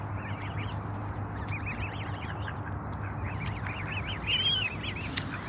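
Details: Canada goose goslings give a steady stream of high, thin, arched peeps in quick overlapping series while a stressed adult nips them, over a constant low rumbling background.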